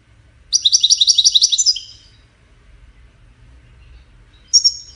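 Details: European goldfinch song: one burst of fast, evenly repeated high notes that trails off after about a second, then a brief sharp note after a long quiet gap.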